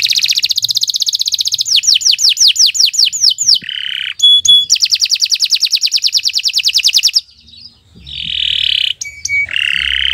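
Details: Long canary song recorded in the morning. A fast trill flows into a run of falling whistled notes, a buzzy phrase and another long rapid trill, then harsh nasal buzzes near the end.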